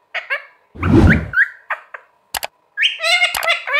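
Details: Parrot talking amid short chattering syllables; a loud broadband thump or rustle interrupts early, then sharp clicks and a long, wavering speech-like vocalisation with layered harmonics.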